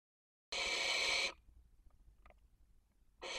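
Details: Barn owl at a nest webcam in Cabañeros National Park, Spain, during the 2023 breeding season, with a toad present at the nest: one harsh, broadband hissing screech of about a second, then quiet faint rustling and the start of another burst.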